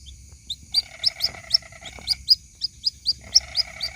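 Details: White-breasted waterhen young calling its mother, a luring recording. Loud high peeps come roughly every quarter second, overlaid by two stretches of nasal, buzzy rattling. A faint high tone persists.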